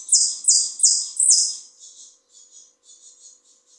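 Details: Argentine saffron finch, Buenos Aires type, singing four loud, high, buzzy downslurred notes about every third of a second, followed by softer twittering chatter.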